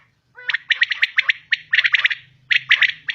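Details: A female common quail gives rapid, slightly harsh notes in runs of three to five, in two bursts split by a short pause, over a faint low hum.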